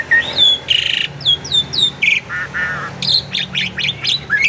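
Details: Kept Asian pied starling giving a varied lure song meant to set other birds singing: quick downslurred whistles, a grating burst, lower buzzy notes, then a run of rapid harsh chirps ending on a rising whistle.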